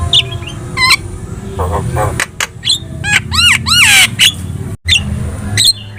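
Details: Javan myna singing to draw responses from other birds: clicks and short whistles, then a run of loud arched harmonic calls and brief squeaks, with a low hum throughout.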